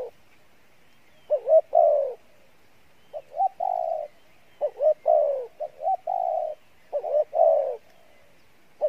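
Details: Cooing spotted dove with a good voice, Pha Bài Lối song style: bouncy double notes then longer mellow falling coos in about five phrase groups, nothing else audible.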